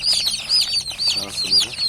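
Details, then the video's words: Just-hatched chickens giving bright, high, down-curving peeps roughly every half second, several birds overlapping, and a faint murmur of a man's voice. "Civciv Sesleri Gelmeye Başladı!!"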